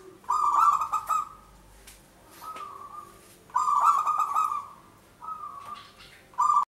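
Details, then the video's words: Trapping-lure zebra dove, local type, singing strong buzzy coo phrases of about one second, four in a row with quiet spaces between, the loudest ones rough and rolling. "Perkutut lokal gacor suara cocok.untuk pancingan."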